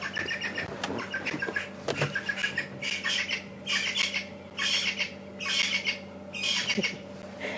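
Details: Natal spurfowl at Djuma Game Reserve on a February afternoon safari drive, heard to the right near sunset, give harsh, grating cackles in bursts roughly every second, their normal contact call, over a steady low engine hum.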